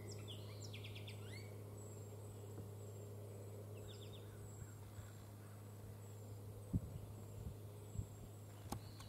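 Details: A perched willow flycatcher on Sauvie Island, Oregon, gives a quick burst of buzzy, sneezy notes, then a shorter one a few seconds later, over a steady low drone and faint high ticking.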